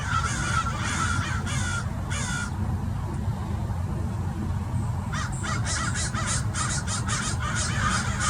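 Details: More than thirty wild American Crows mobbing a Peregrine Falcon at Mason Regional Park, Irvine, Orange County, California; bursts of harsh caws from many birds at start and end, under a constant roar of wind.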